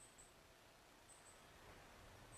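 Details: A Northern Cardinal in an alleyway, possibly a young bird though the observer is unsure, gives thin, very high chip notes in quick pairs about once a second over a steady background hum.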